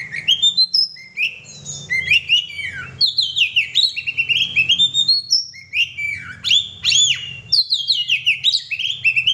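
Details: Oriental magpie-robin singing nonstop in a bright, varied stream of whistled notes, quick downward sweeps and warbled phrases, rising and falling throughout, over a faint low hum.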